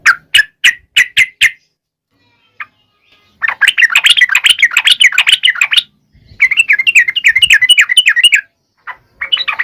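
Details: Sooty-headed bulbul, a recording meant to get reluctant bulbuls singing: five clipped, evenly spaced chips open the clip, then after a pause come two long, dense runs of rapid, scratchy warbling, trailing into a few scattered notes.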